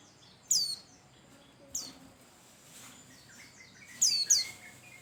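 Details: Pleci white-eye song used to stir other birds into singing: a few shrill, falling whistled notes, one single and then a close pair, separated by quieter chatter over faint hiss.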